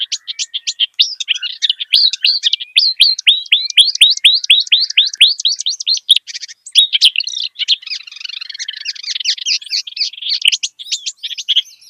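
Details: Clamorous reed warbler (kerak basi) singing in the wild: a long series of quick, repeated up-slurred chipping notes, about two per second, then a denser scratchy, chattering warble.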